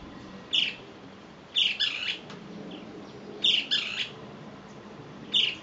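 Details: Great kiskadee calling to others of its kind: loud, harsh, buzzy bursts, single and paired, repeated about every one to two seconds, over steady background hiss.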